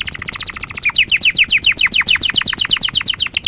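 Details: Canary song from a lesson for young canaries: a rapid high trill shifting into a steady series of repeated down-slurred chirps, about six per second, bright and clear.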